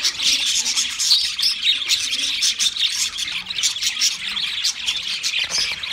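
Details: Pet budgies in full song, an unbroken scratchy chatter of high chirps, clicks and brief squawks, loudest in the first second.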